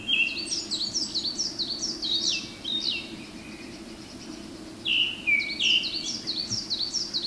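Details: Wild male Japanese thrush in full song in Hiroshima's Garyuzan forest, May 2019 morning: rapid series of bright, descending whistled notes repeated in runs, a brief pause, then another run of similar slurred phrases; coal tits and narcissus flycatchers also in the forest.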